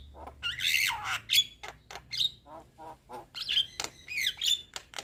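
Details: Young Javan myna sings a loud, varied medley of grating squawks, sharp high whistles and clicking ticks in rapid, irregular bursts.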